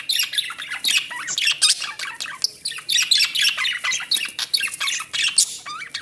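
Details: Budgerigars during mating chatter in a rapid, scratchy warble of high squeaks and clicks.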